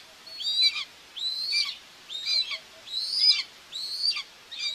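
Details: Common buzzard nest in Tiszalök, Hungary, June 2, 2024, watched by a webcam while the mother feeds two chicks; five thin, high, drawn-out whistles that arch over and fall away, spaced about a second apart.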